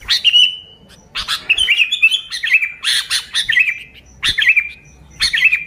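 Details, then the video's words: Sooty-headed bulbul lure song: bursts of chattering notes breaking into liquid, warbled whistles that trail off in level tones, separated by short pauses. "Suara Burung Kutilang Gacor ASLI Tanpa isian, Ampuh untuk Pikat Kutilang"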